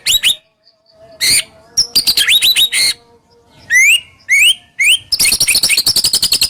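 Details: White-rumped shama, a murai batu, singing a rough, sharp full-volley song used as a lure to stimulate silent shamas: rapid rising whistled sweeps, harsh buzzy bursts and a closing fast chattering trill.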